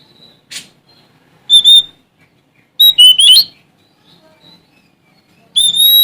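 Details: Sumatran Oriental magpie-robin, a male, singing to challenge rivals: separate short phrases of high whistles and rapid sliding notes, with pauses between them and a final long pure whistle.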